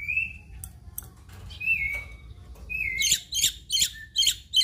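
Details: Black-winged myna in full chattering song packed with mimicry: drawn-out level whistles separated by pauses, then a fast series of sharp, repeated chip notes about three per second, over faint low hum.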